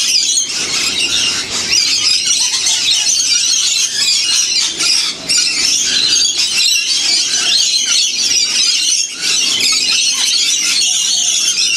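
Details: A huge wild flock of lorikeets in the Blue Mountains near Sydney, fed sunflower seeds and honeyed bread in winter, screech and chatter nonstop: shrill, harsh, overlapping calls in a dense high-pitched din with barely a pause.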